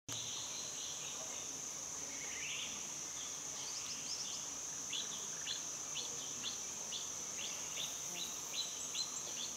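Bar-winged flycatcher-shrike giving short, high, sharp chirps and quick little trills at uneven intervals, over a steady high insect drone.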